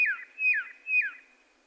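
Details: Red-lored whistler song: three clear whistled notes about half a second apart, each a held high tone that slides steeply down at the end, with a quiet background.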